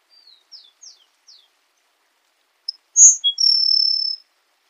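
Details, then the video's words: Grassland sparrow song: quiet thin high introductory slurs, then after a gap a loud sharp note, a low chip and an extended level buzz like an insect, in silence. "Canto do Tico tico do campo"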